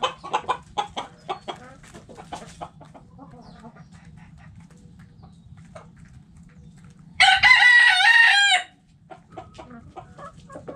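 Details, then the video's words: Hens in a backyard coop cluck in a quick series of short, clipped notes, then after a lull a rooster gives a loud, harsh crow lasting about one and a half seconds, with low hum throughout. "Hens Clucking Roosters Crowing!"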